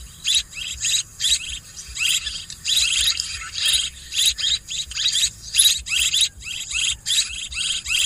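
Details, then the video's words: Recorded swiftlet twittering used to lure birds for swiftlet farming, dense harsh chirps overlapping in a nearly continuous chatter that pulses every half second or so, with low hum below. "ສຽງນົກແອ່ນ ຄໍເລດ Tiếng én, Tiếng Chim Én เสืยงนกแอ่น คอเลด"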